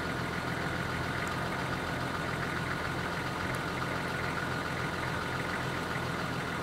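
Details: Continuous rumbling engine noise with broad hiss throughout, and no animal voices standing out.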